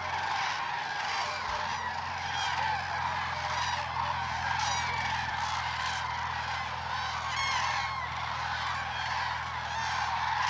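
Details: Trumpeting crowd of common cranes during the April 2009 crane dance at Hornborgasjön, Västergötland: ten seconds of constant overlapping calls, with stronger bursts standing out near 2.5, 5.5 and 7.5 seconds against the distant massed chorus.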